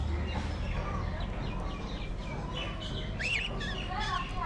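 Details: Aviary colony of budgerigars chattering in wavering, warbled twitters and short rising whistles, many birds overlapping above a low rumbling background.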